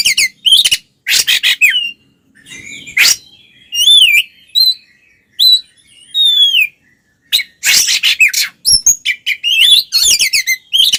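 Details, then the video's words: An oriental magpie-robin in aggressive fighting song, meant to rile other males: dense harsh bursts alternating with clear, wavering whistled notes and a few quiet pauses, ending in a rapid chattering flurry. "SUARA BURUNG kacer gacor NGEPLONG TARUNG konslet paling AMPUH buat PANCINGAN KACER agar EMOSI"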